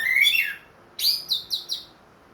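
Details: Orange-headed thrush, a ringed cage bird back in full song after moulting, gives a short sliding whistle and then three quick, high, clipped notes on the same pitch, in a quiet room.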